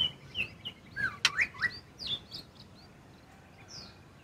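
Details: Sooty-headed bulbul singing loudly and relaxed in the morning, used as a lure to provoke a quiet greater green leafbird: short bubbly slurred whistles in a loose run, then a final high note, over a soft hiss.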